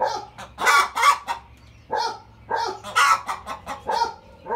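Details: Domestic hen from a rooster's flock cackling at barking dogs: loud, harsh, broken squawking bursts repeated in uneven clusters about every second or two, with a low steady hum underneath.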